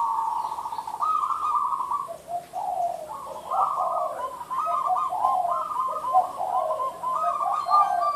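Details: Zebra dove, or merbuk, singing in the derak style. Rapid, stuttering coos roll in grouped phrases, stepping between a lower and a higher note almost without pause. The background is quiet.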